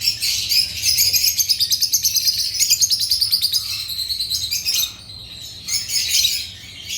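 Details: Agapornis lovebirds giving a fast, rattling series of high, buzzy chirps, about three a second. The series trails off into softer, scattered twitters.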